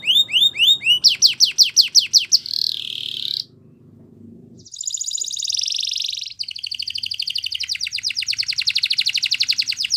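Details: Morning song of a yellow canary, opening with looping whistled notes, then sweeping trills and a sustained buzzy roll, a short near-silent gap, and a long rapid high rattling trill.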